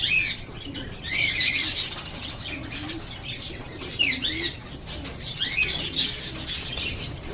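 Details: A flock of lovebirds chirps continuously, with clusters of sharp, arching high notes coming in dense bursts and brief lulls between them.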